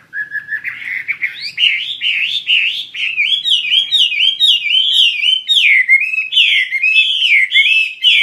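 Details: Chinese hwamei in full song, singing actively: a continuous flow of loud, rich, rolling whistles, each looping up and down in quick wavering phrases, rising at first and then holding steady for eight seconds.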